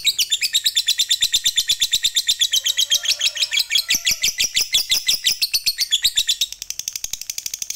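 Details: Fighter lovebird in long ngekek song, played to provoke other lovebirds: rapid, shrill, chattering pulses in a dense trill that thins near the end into spaced, thinner notes.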